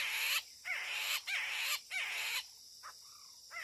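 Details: Chinese hwamei near a trap used to lure wild birds, giving loud harsh rasping bursts, each opening with a short arched nasal note, repeated roughly every half second, then a quieter pause with faint clipped notes.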